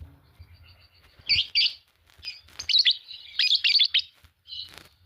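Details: Fischer's lovebirds, green pair, chattering: quick clusters of sharp squeaky chirps and twittering notes, irregular and overlapping, with a softer chirp near the end.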